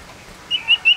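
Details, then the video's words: A male common iora, a small yellow bird kept tame and singing actively, gives three short, high whistled notes in quick succession after a quiet start, each slightly buzzy and level in pitch. "Suara Sirtu Jantan !! Burung Sirtu Cipoh Sirdung Sirdum Jantan Terbaru"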